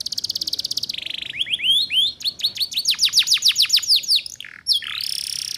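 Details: Female Atlantic canary calling to lure males, used as a lure recording to help young canaries learn the ngeriwik sound: a high buzzy trill, then a run of fast, sharply falling whistled sweeps, ending in a rasping buzz.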